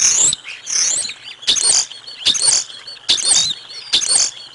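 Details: At the Decorah North bald eagle nest, as lunch arrives for the eaglets on 05 06 2022, six shrill, screechy chattering bursts repeat about every three-quarters of a second.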